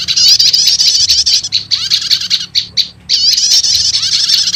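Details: Prinia (prenjak lumut) and prenjak setater lure sound for calling wild birds; high rasping chatter with fast down-slurred notes, a short near-silent gap, then chattering resumes.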